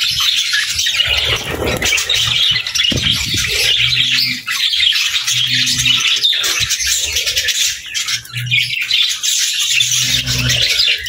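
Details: Budgerigars sing in sustained, high twittering chatter. Soft, low, coo-like pulses recur at regular intervals underneath.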